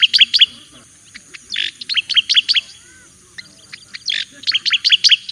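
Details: Master-type song of a Javan white-eye for training: repeated clusters of high, sharp chirps with brief buzzy notes, delivered in three lively bursts separated by short pauses.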